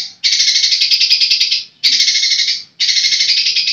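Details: Long-tailed shrike, a kept songbird, giving long buzzy rasping bursts lasting over a second each, three bursts separated by short pauses, high-pitched and noisy with no other sounds.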